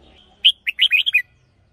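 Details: Red-whiskered bulbul decoy bird giving one crisp phrase: a faint thin whistle leading into five or six quick, bright, bubbling whistled notes lasting under a second.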